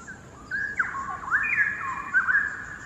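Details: In a Singapore quarry, one of a pair of endangered straw-headed bulbuls resting on a hanging branch pours out melodious song at a distance. Bubbling whistled notes swoop and warble continuously, amplified by the cavernous setting.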